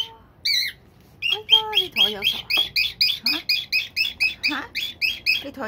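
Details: Aged pet cockatiel switching moods at a disliked box: a few sliding, wavering whistles, then a fast series of sharp, high chirps repeated around three per second.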